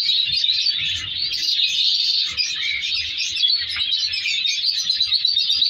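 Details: Breeding colony of captive African colour lovebirds: an unbroken wall of squeaky, overlapping chirps and chatter from many birds, steady in loudness for the whole stretch.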